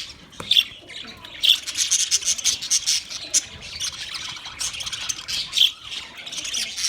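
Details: Several budgies chirp in a busy, high-pitched jumble of twittering and sharp squeaks, with bursts of louder chatter every second or so.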